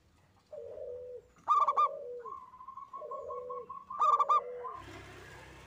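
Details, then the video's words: Singing local zebra dove giving quick high trills and a long steady whistled note, mixed with lower descending coos, ending in a burst of broadband noise. "Kutut Lokal Gacor‼️ENGKEL"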